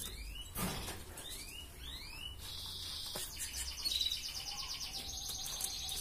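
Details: Red canary giving 'gacor ngerek' tutor song, played to raise breeding drive in females: a quick run of upward-swept whistles, then a long, even, rattling trill held high, with faint background hum.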